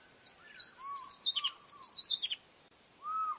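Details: High-pitched Osprey whistling: a quick string of thin, clipped whistled notes falling slightly in pitch, layered over lower, slurred upward whistles, with one longer rising whistle near the end.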